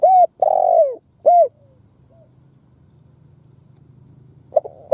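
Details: Decoy spotted dove calling to set other doves cooing. A phrase of a short coo, a long burred coo and a clipped arched coo, then quiet with a low steady hum, before the next phrase begins.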